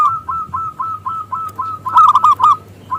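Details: A local zebra dove, used as a lure to make other doves sing: a brisk train of evenly spaced coos, then a loud burst of rapid rolling notes.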